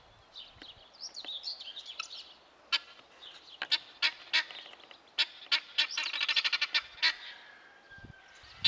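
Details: Male guineafowl in display, giving a series of harsh, rasping, evenly spaced notes that speed into a rapid chattering run, with thinner bird twittering at the start.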